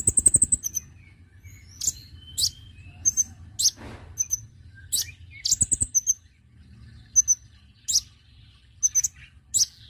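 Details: Konin bird call played as a lure to attract birds: a rapid opening trill, then many short, very high chirps in small clusters, repeated irregularly throughout.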